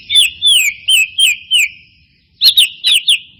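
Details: White-rumped shama song for luring birds into singing: series of high clear whistles falling in pitch, about five in a row, a pause, then a quick group of four sharp notes.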